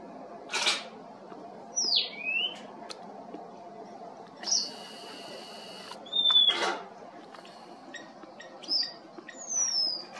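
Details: A Cape wagtail at Ogies, Mpumalanga, gives clear, high whistles, some sliding down in pitch, others short and level, spaced a second or two apart, with sharp clicks between.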